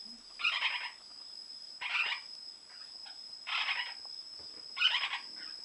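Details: Breeding-season Lineolated parakeet calling indoors: four separate scratchy, rasping bursts, each about half a second long, at intervals of roughly one and a half seconds, over a constant high hum.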